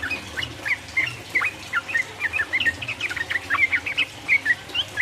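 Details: Sooty-headed bulbul singing nonstop in the rolling 'uplik uplik' style to provoke rivals: quick, liquid whistles and chattering runs, some notes sliding up or down, packed densely through the middle of the phrase.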